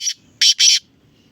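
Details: Black francolin calling: a short harsh burst followed by two longer grating, rasping notes, loud and broadband, against a quiet background.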